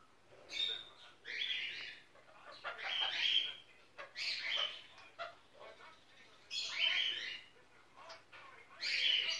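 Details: Pet sun conure, a six-month-old female, indoors at Christmas while the film Die Hard plays. Loud grating screeches come in bursts, some doubled, roughly every one to two seconds, with short softer chirps between them.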